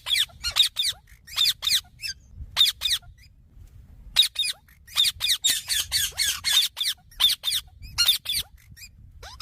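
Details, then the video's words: Green parrot repeating rasping, high-pitched squawks in uneven runs, some rapid-fire and some spaced, over a soft low background hum. "Green Parrot Natural Sounds"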